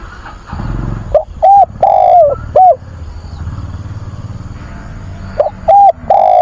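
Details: A decoy spotted dove coos to call a mate and lure wild doves on a weekend, 24 August. Short mellow coo phrases come in two groups, over a low rumbling background like a passing vehicle.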